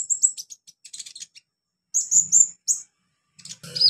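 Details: Olive-backed sunbird song used as a tutor recording to get beginner birds singing: bursts of very high, thin chirps and trills, sharp twittering notes in quick clusters separated by short pauses, with a faint low hum in places.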